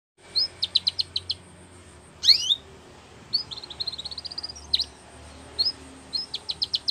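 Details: Belgian canary singing for training: short phrases of sharp high chirps and rapid trills separated by pauses, with one loud buzzy sweep near the middle; faint low hum in the background.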